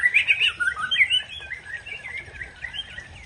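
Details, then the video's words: A white-rumped shama of the Aceh type sings to stir up a rival, starting with loud quick whistled trills and chirps that fade into softer twittering phrases. "Murai Aceh Pancing Emosi Lawan"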